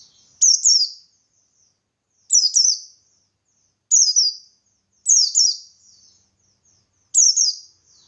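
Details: Buxtoni white-eye singing ngalas, meant to draw other white-eyes into replying: five phrases of paired, piercing downward-sliding chirps, evenly spaced over eight seconds, with faint twitter between.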